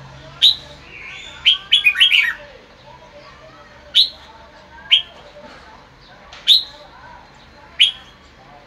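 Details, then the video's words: Red-whiskered bulbul basking in the afternoon sun, singing 'bọng': loud sharp chirps at irregular gaps, broken by a fast, tumbling run of slurred whistled notes near the start, over quiet hum. "Chào mào phơi nắng chiều ra bọng hay"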